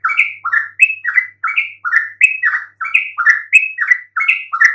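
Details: Yellow-vented bulbul lure song, said to make silent birds answer: evenly spaced pairs of short, warbling chirps, one lower and one higher, repeated briskly and continuously.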